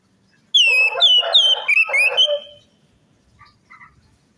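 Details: Orange-headed thrush song played as a lure to get a silent, reluctant or stressed bird singing: loud clear whistled phrases sliding up and down, mixed with a harsh raspy burst, then two faint short notes.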